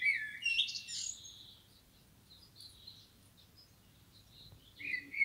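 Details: A wild Common blackbird, either male or female, gives sharp, high chattering calls in two bursts, one at the start and one at the end, with a quiet pause between over a faint low hum.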